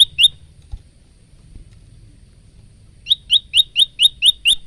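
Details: Male bar-winged prinia giving varied song, phone-recorded for use as caged-bird training: two sharp chirps, nearly three seconds of quiet low rumble, then a quick run of seven rising chips.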